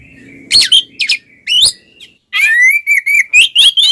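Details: Twin Oriental magpie-robins singing ngeplong style as a lure for silent birds; harsh rasping notes and upslurred whistles, then a sustained warbling whistled phrase rising gradually in pitch.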